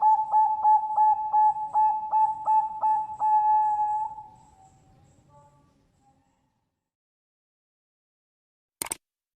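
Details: A female Bangkok-type zebra dove at a bird farm in Kebumen, Central Java, Indonesia, gives a soft, low cooing phrase of rapid, evenly spaced notes that trail off; a sharp click is heard near the end.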